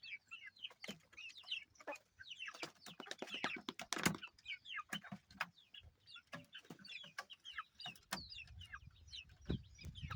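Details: Chicks cheeping with many quick high peeps, some in rapid bursts, mixed with sharp clicks and knocks and occasional low thumps.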